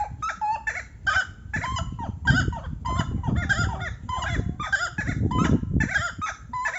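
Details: Buff-necked ibis, probably a pair, calling: loud, nasal honking notes with harmonics, given in quick overlapping bursts throughout, over steady low rumbling background noise.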